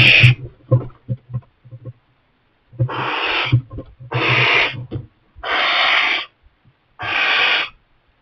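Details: Young barn owl that has settled in a kestrel nest box while its parents keep bringing mice. Low knocks and thumps open the clip, then four harsh, breathy hisses, each under a second, follow at roughly one-second gaps.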